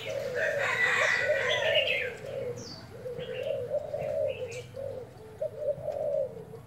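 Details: Spotted dove used as a decoy, cooing during a 01/11 trial: uneven mid-pitched coo phrases over a low hum, with a burst of noisy higher sound early on and a few sharp chirps from other birds.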